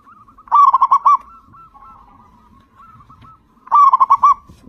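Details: A very loud local zebra dove sings to prompt other zebra doves to start calling. It gives two strong phrases of quick, bubbling coos about three seconds apart, with faint, drawn-out cooing in the gap.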